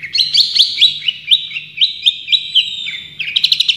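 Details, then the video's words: Champion long-tailed shrike in tembakan song, giving quick, sharp, upslurred whistles about four per second over a steady low hum. It ends with a brief cluster of rapid chips. "Masteran Cendet Juara full tembakan"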